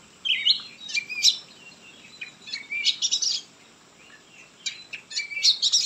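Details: White-rumped shama singing: varied high whistles, quick chirps and sharp trills in irregular bursts, with short quiet gaps, over a steady background hiss.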